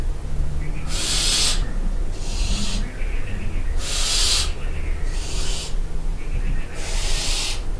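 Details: Five harsh, hissy screeches from barn owls in a castle dovecote at Barbirey-sur-Ouche at night, loud and soft calls alternating, each lasting under a second and spaced roughly every one to two seconds, over low rumble.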